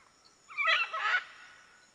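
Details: Red-and-green macaw giving a harsh, raspy squawk of under a second, rough and broadband with a brief rise, in an otherwise quiet setting.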